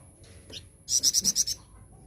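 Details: Flowerpecker singing, recorded as a lure to provoke other birds: a single quick run of five bright, very high-pitched notes after one faint chip.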